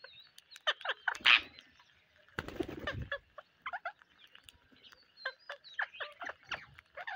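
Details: Several parrots on a rainy day give short harsh calls, repeated in scattered bursts, with one louder rasping squawk early on and a brief broad rushing noise in the middle.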